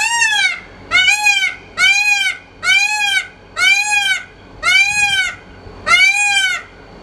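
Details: Male Indian peafowl (peacock) giving his loud mating call at Mount Macedon summit, Macedon Regional Park: seven loud, nasal, arching wails, about one per second, each rising then falling; peacocks usually follow this call with a mating dance.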